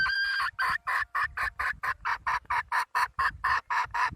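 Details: Wild junglefowl hen, red junglefowl, gives a brief whistled start followed by evenly spaced, rasping cluck notes about four per second over faint low rumble.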